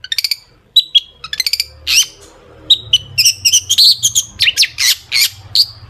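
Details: Long-tailed shrike song full of sharp rapid phrases, played to provoke shrikes into singing: quick stuttered chip series, short whistles, then a busy jumble of squeaky notes and slurs over a soft low hum.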